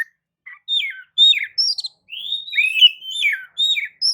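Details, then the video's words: White-rumped shama song used as a lure to provoke other birds to sing: separate clear whistled notes, some falling and some rising slurs, spaced with short gaps in a clean recording. "kicau pancingan kacer gacor pagi sore siang malam"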